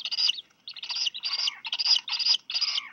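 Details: Black Guillemot chicks at Seal Island National Wildlife Refuge, Maine, USA, on 4 July 2020 in the afternoon, as both parents bring fish, one for each of two chicks. Loud, squawky high chirps are repeated in quick clusters with brief gaps.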